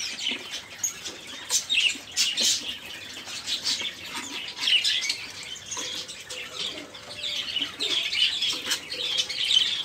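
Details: Crowded caged budgerigars chatter without pause, a prompt sound for songbirds that have stopped singing; buzzy warbles and thin chirps layer together with occasional louder squeaks.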